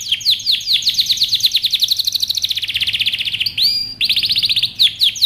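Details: Powerful canary training song of rapid, high trill tours. The notes speed into a dense buzzy roll, then a rising whistled slide and a new bright trill follow.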